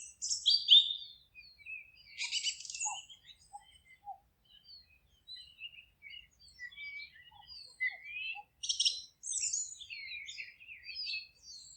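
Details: Several birds singing in a forest, overlapping: loud buzzy high bursts near the start and again after eight seconds, scattered thin chirps and short whistles filling the gaps throughout.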